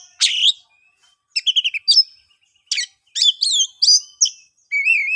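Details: Bold 'ngeplong' song of an oriental magpie-robin, a lure for birds that have stopped singing: scratchy bursts alternate with rapid high whistled notes and a wavering sweet whistle, separated by short silences, with no background noise.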